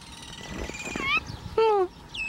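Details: A very tame azure-winged magpie at Novosibirsk Zoo on 11 February 2018, seemingly complaining, gives two short, plaintive calls, one rising and one sliding down, while a person talks softly to it nearby.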